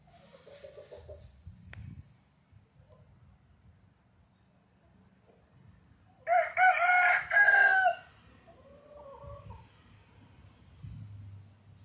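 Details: Rooster crowing once, a loud harsh rising-then-held cock-a-doodle-doo lasting nearly two seconds, preceded and followed by quiet low rumbling background noise.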